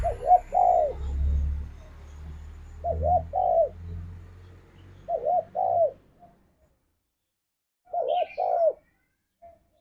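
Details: Spotted dove song used as a lure to get a pet dove singing: paired arched coos repeated in phrases every few seconds, over a low rumbling hum in the first half, then quieter cooing near the end.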